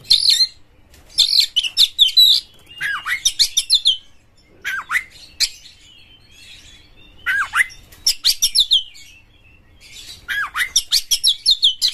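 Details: Lively Oriental magpie-robin song, meant to encourage other magpie-robins to sing, in four bursts of rapid chattering notes mixed with downward-sweeping whistles, separated by short pauses.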